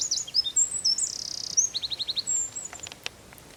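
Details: Eurasian wren singing in the San Miguel de Daño neighbourhood of Zamudio on 4 December 2019: very high, rapid phrases of sharp twittering notes, a fast buzzy trill, then a run of quick repeated chips.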